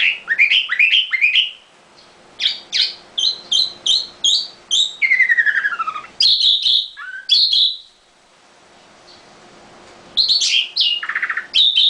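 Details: Nightingale in a cage delivering varied song: quick rising chirps, a series of evenly spaced loud high notes, a descending slurred sweep, short sharp phrases and a final burst of rattling, bright notes after a brief silence.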